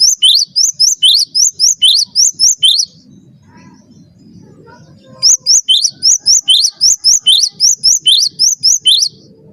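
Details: Recording of cinereous tit song used to train other birds: steady series of sharp, high, up-slurred whistled notes, roughly twelve, a brief lull with soft low rumble, then a longer matching run of about sixteen notes.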